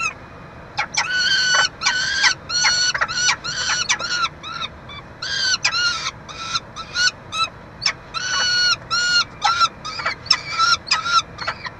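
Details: Peregrine falcons at a Montreal nest box, Canada, 22 June 2023, during feeding and the chick's walk; irregular bursts of loud, raspy, screaming cries, some long and some clipped, with short silent gaps.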